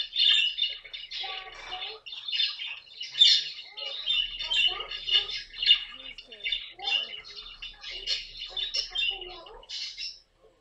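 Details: Noisy bursts of raspy squawks from a pet caique parrot, loud at the start, then choppy short calls, fading out at the end, during comic moments with the bird.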